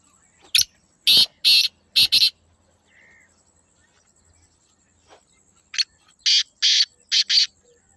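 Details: Black francolin calling twice. Each phrase has four or five loud, grating, buzzy notes, and a faint chirp is heard in the gap between them.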